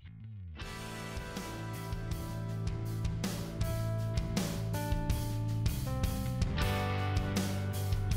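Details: Guitar music fills the recording, with strummed chords over a steady low bass line and no animal sounds.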